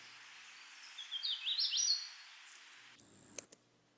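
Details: A Hooded Warbler, a species breeding locally, sings one quick phrase of clear, slurred whistles ("weeo weeo weedo") rising to an emphatic ending; afterward a faint hiss and a couple of clicks.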